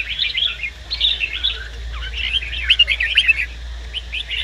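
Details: Red-whiskered bulbul male, excited by a nearby female, gives busy phrases of twittering, slurred whistles in two bursts separated by a brief lull. A faint low hum runs throughout.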